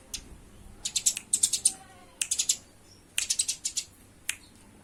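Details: Eurasian tree sparrow fighting, heard as stuttering clusters of piercing chirps, three main bursts with a lone note at the end.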